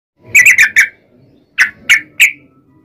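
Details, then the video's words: Yellow-vented bulbul (trucukan) in lively, long rapid 'ropel panjang' song, played as a lure to get other bulbuls singing: three quick bubbly chirped notes, a pause, then three more spaced sharp chirps. "trucukan gacor ROPEL PANJANG buat pancingan trucukan agar bunyi"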